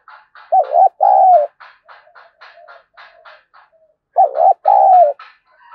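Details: Spotted dove fighting call to excite a decoy bird: two paired coos, each a quavering short note and a longer steady one, repeated about four seconds apart over a busy background of small-bird chirping.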